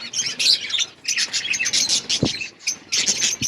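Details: Outdoor colony of budgerigars giving a busy mix of harsh squawky chirps and chatter in short bursts, several birds calling at once with brief pauses between.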